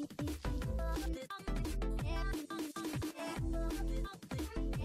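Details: Heavy, bass-driven electronic music with steady drum hits and sustained tones fills the whole passage, with no animal voice.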